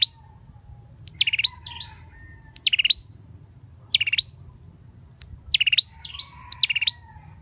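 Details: A male bar-winged prinia repeats short buzzy stuttering phrases ending in a high upslur, roughly every one and a half seconds, some followed by looping notes; faint low rumble in the background.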